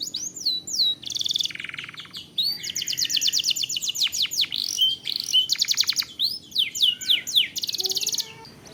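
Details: Canary singing in long-duration rolling style, used as a master track to spur other canaries: swooping whistled slurs lead into dense high trills and buzzy rolls, steady and unbroken.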